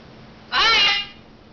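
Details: A blue-and-yellow macaw, waving, says a single bright, slightly rising "Hi" in a harmonic, voice-like tone lasting about half a second, in a quiet room.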